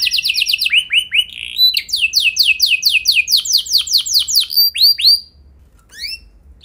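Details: Canary song used as a prompt to start other canaries rolling: a rhythmic run of upward-sweeping whistled notes, changing pace, then a long series of arched slurs that fades near the end.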